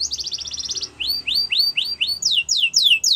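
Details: Yorkshire canary song used for canary song training: a fast trill of short high notes, then a series of rising-then-falling whistled notes repeated about four per second, ending in steeply descending sweeps.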